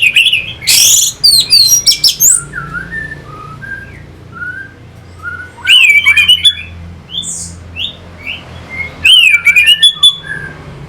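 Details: Orange-headed thrush singing as a lure to rouse fighting spirit in birds: loud bursts of shrill rising and falling whistles and harsh notes, separated by softer strings of short slurred whistles.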